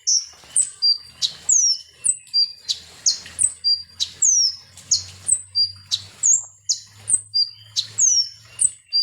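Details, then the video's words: Konin sunbird, or ninja hummingbird, singing as a provoking lure: rapid, insistent high chirps and downward-curving whistles, close to ninety notes a minute, with a faint low hum underneath. "SUARA BURUNG KONIN atau KOLIBRI NINJA"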